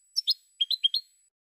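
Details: Short phrase of European goldfinch song from 2016: about six clear, high, liquid chirps delivered in roughly one second, the first two sharper and higher, over a faint steady background tone.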